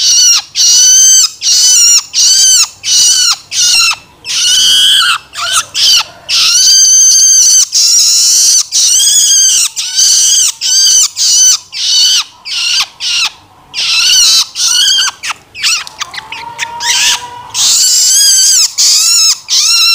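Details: A young long-tailed shrike gives loud, harsh, rasping begging calls in rapid, uneven bursts, a recording meant for luring shrikes.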